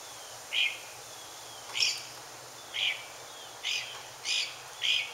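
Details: Mockingbird singing while looking for a mate: six short, harsh, high notes spaced about a second apart, with faint thin whistles between them.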